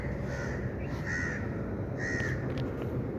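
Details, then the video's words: Two drawn-out, harsh bird calls about a second apart stand out above a constant low rumble outdoors, with a fainter short note between them. "birds chirping sound"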